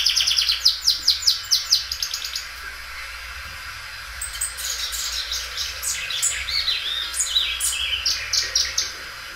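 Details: Belgian canary song in doubled style: a burst of loud, evenly spaced sharp high notes at the start, followed by a quieter, varied twittering passage of chips and short trills.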